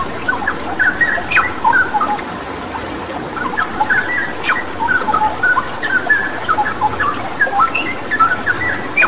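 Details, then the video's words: Straw-headed bulbul tutor song for caged birds: chattering series of clear whistles and sharp upslurs in dense bursts with short gaps, over a continuous water-therapy rush. "Masteran Cucak Rawa Gacor dengan Terapi Air"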